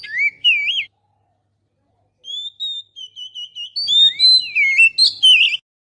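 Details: Oriental magpie-robin used as a lure sound to attract birds: clear whistled phrases, a wavering rising note, a pause, then a run of short varied whistles and slurred notes.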